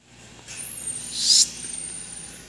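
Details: An angry macaw gives one harsh, grating screech lasting about a third of a second, set against a faint steady high whine.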